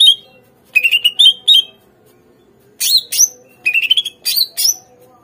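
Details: Greater green leafbird song played to coax captive birds into answering and singing: bursts of sharp upslurred whistled notes in quick runs, mixed with harsh buzzy phrases, separated by short pauses.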